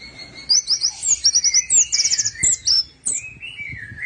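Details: Orange-headed thrush singing, used to coax birds that will not sing: fast series of high trilled notes and quick sweeping whistles, followed by a lower whistle sliding downward, with another bird's thin tone behind.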